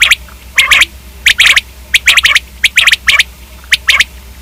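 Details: Common quail repeating crisp triple-note phrases, each cluster of sharp clipped notes quickly following the last, roughly one and a half phrases per second, with a low constant hum underneath.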